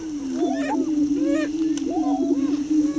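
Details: Greater prairie chicken, a young subdominant male displaying at the edge of a lek close to blinds, Tympanuchus Wildlife Management Area east of Crookston, Minnesota; a steady low moaning drone runs throughout, overlaid by rising and falling whooping, cackling notes.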